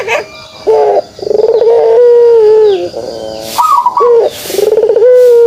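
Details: A pelung turtle dove's kugeruk: a pulsed rolling start leading into a sustained low coo that droops at the end, then repeated rolling notes.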